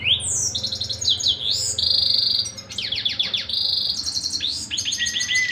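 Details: A canary sings without pause, sweeping down-slurred notes, rapid high trills and a long buzzy roll, then a thin whistled note at the end, with a low background hum throughout.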